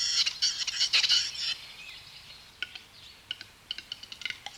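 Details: Male Western Capercaillie courtship display in a mountain conifer forest, in spring snow before daybreak, three or four males answering one another. Dense dry clicking and scratchy bursts for a second and a half, then sparser sharp clicks.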